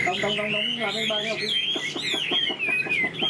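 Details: Tame caged Chinese hwamei whistles a bright, undulating phrase over a man talking, the notes gliding up and down in smooth arcs.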